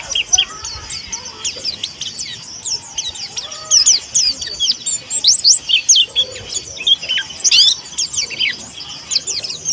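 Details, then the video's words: Young Indonesian white-eye of the Monty type, learning to sing, delivering rapid high twitters and sharp upward-sweeping chirps in clustered bursts, with brief pauses and some faint low background sounds. "PLECI MONTY BELAJAR BUKA PARUH"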